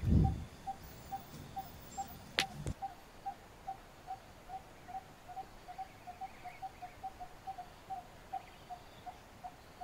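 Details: A wild coppersmith barbet, a fruit-eater, heard in the morning, gives a steady series of low, hollow 'tuk' notes about two or three each second, with a few handling thumps near the start.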